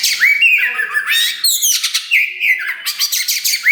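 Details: Black Oriental magpie-robin (kacer wulung), newly tail-pushing yet singing strongly, its song played to stir other birds. Rasping buzzy bursts alternate with short rising whistles in quick succession.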